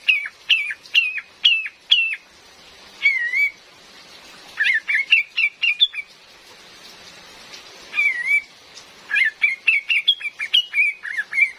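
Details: Female cream-vented bulbul, with real rain sounds, offered as a lure for trapping bulbuls in forest: bright chirping notes in quick bursts of three to five, some slurred downward whistles, brief pauses between groups, steady soft hiss of rain behind.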